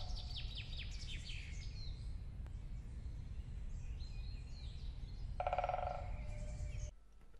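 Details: Great Spotted Woodpecker drumming: a roll of about 0.4 to 0.8 seconds of dry strikes too fast to count, after a few high chirps from other small birds over a low rumble.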